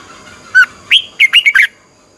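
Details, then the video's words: Red-whiskered bulbul training song, a twisting-voice style meant to excite birds: six quick, loud, clear whistled notes in a lively phrase, with an upward-sweeping note and a tumbling warbled ending. "luyện giọng chào mào hót hay, Giọng xoắn tít -KÍCH CHIM CĂNG LỬA"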